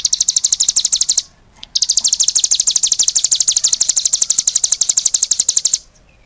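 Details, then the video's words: Vigorous song from a cigun: rapid, piercing chirps repeated about three times a second, with a brief break early on, then a long unbroken run. "suara burung CIGUN gacor"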